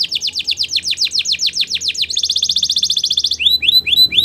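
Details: Belgian canary song used in canary training: fast descending swept notes repeated about five times a second, then a dense high buzzy trill, ending with looping upward-curving whistles.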